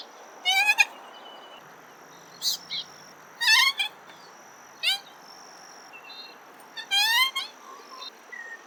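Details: Common moorhen calling: short, harsh, strongly harmonic notes, some rising and stuttered, given singly or in quick pairs at irregular gaps, over a steady high thin whine and soft background hiss.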